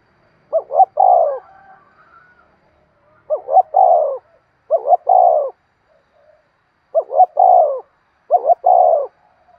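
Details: Spotted dove decoy cooing, used to lure wild birds: low, hollow three-part coos, a short note then a longer rolled one, repeated in five phrases about every one and a half seconds, otherwise quiet.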